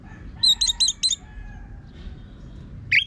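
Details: Orange-headed thrush, a rough-voiced singer used as a training lure for other birds: four quick buzzy stacked notes in a row, a pause, then a sharp rising whistle at the end.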